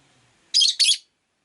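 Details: Rosy-faced lovebird, one of five kept in a cage by a window, gives two harsh, high, buzzy chirps in quick succession, each about a quarter second long; car engines, bicycles and town noise may also be heard.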